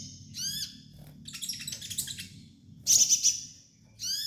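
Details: Sunbird training song: a down-slurred chirp series, a scratchy twittering stretch, then a sharp high trill, set against constant low background noise.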